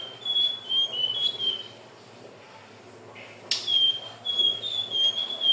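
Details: Hill blue flycatcher song, used to lure birds: sweet, high whistled warbling phrases, slightly wavering and descending, given in two bursts around a brief pause, with a sharp click between them.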